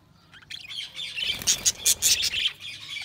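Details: Budgerigars chirping: a dense, busy chatter of overlapping high warbles and squawky notes that swells after a quiet start, with several loud bright bursts near the middle before easing off.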